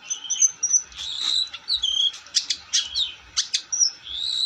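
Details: Long-tailed shrike in vigorous song: thin sustained whistles mixed with harsh rasping bursts and sharp high clicks, over soft low thumping.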